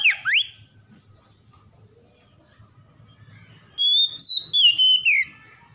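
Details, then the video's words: Oriental magpie-robin, stressed and reluctant but provoked into singing: a brief swooping whistle opens, then after a pause comes a loud phrase of pure whistles descending in steps, with a faint low hum behind. "KACER SETRES MALAS BUNYI TERPANCING LANGSUNG GACOR"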